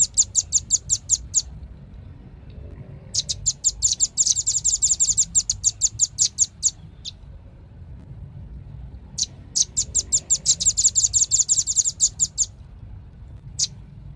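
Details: Velvet-fronted nuthatch repeating bursts of fast, high chattering chips, some denser and overlapping, separated by quiet gaps of one to three seconds.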